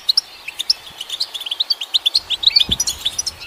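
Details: Crisp, evenly spaced chirps from a European goldfinch, about five per second, bright and piping, forming a steady twittering run used to stimulate caged goldfinches; a low thud late on.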